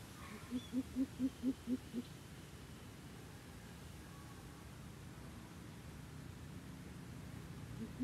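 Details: Coucal in a fight with a decoy bird: a quick series of seven low, booming hoots in about one and a half seconds, then a long quiet stretch of faint background noise, and a single hoot starting again at the end.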